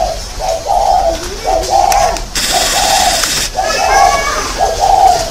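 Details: Spotted dove used as a decoy bird, recorded in Ba Vì, Hanoi, on 27 December 2018: soft, mid-pitched coos repeated roughly once a second, with a burst of hissing noise midway.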